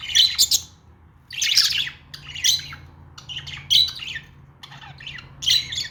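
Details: Budgerigar calling: loud bursts of harsh, scratchy chirps repeated roughly every second, with a faint hum underneath.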